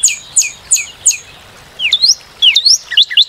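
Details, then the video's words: Northern cardinal with four sharp high down-slurred whistles, a brief pause, then several looping up-and-down whistled phrases. "Cardinal:Découvrir le chant et la beauté du Cardinal du Nord"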